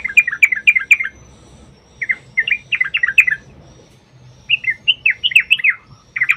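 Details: Trucukan, the yellow-vented bulbul, delivering long rolling 'ropel' phrases as a lure for other bulbuls: fast clusters of bubbling, slurred notes in three bursts separated by short pauses, over a faint low background hum.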